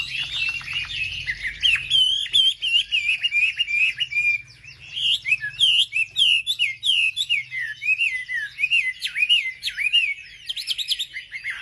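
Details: A wambi's provoking lure song: bright, twisting whistles in quick clusters. A brief pause near the middle is followed by rising and falling slurred notes delivered again in lively succession.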